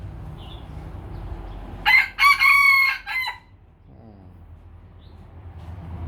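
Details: A Lao chicken rooster crows once: a loud, harsh, harmonic-rich call of several segments lasting about one and a half seconds, ending in a falling tail, then quiet with low background rumble.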